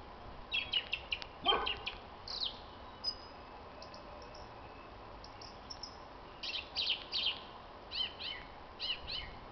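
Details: Common blackbird giving its evening spring song on 26 March 2010. Bursts of high, scratchy twitter are broken by a short, louder, broad sound early on, followed by several quick squeaky phrases toward the end.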